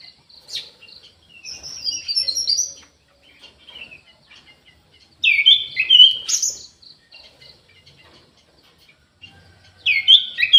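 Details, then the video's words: Caged orange-headed thrush singing intermittently from an aviary: scattered soft chips and high pips, then a loud burst of varied whistled phrases midway and another rich phrase near the end. "ANIS MERAH GACOR"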